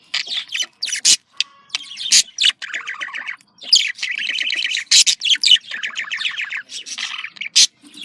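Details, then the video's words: Budgerigar calling, a happy contact chatter: scratchy chirps, trilled warbles and sudden loud clicks, with a steady thin tone faintly heard early on. "Voz decomunicación.de loro australiano /sonido de llamada de periquito / se sentirá feliz"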